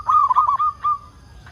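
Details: Local zebra dove singing steadily, used as a lure to get other zebra doves calling: a quick stuttered run of low, hollow cooing notes that ends in two longer drawn-out coos, then quiet.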